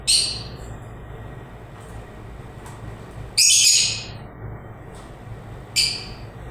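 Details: Lovebirds chirping: three loud, shrill, high-pitched bursts spaced a few seconds apart, each lasting under a second, with fainter short chirps between them over a quiet low background hum.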